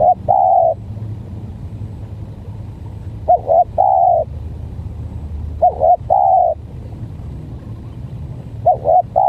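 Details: Spotted dove in a stuttering decoy versus strange-voiced bird contest: four repeated coo phrases roughly every two and a half seconds, each a short wobbling note pair and a longer mellow hoot, over constant low-pitched background noise.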